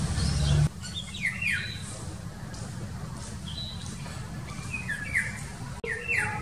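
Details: Indian golden oriole heard on the morning of 25 March 2019 near a park by a busy road. Several quick, down-sliding whistled notes come in loose series, with a loud traffic roar at the start and steady road hum underneath.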